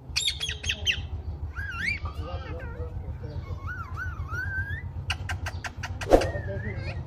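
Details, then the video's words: Pet rose-ringed parakeet talking, with varied warbling, wavering whistled phrases and sharp clicks, then a burst of rapid high notes, over a steady low hum. "Talking parrots sounds video 😍 completion ringneck parrot video bolnywalatota mithu mithu talking"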